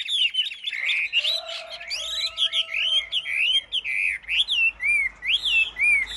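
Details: Chinese hwamei singing caged at a Vietnamese rack contest: energetic bursts of looping whistles, then spaced, rising-and-falling whistled phrases. A faint steady tone sounds in the background early on.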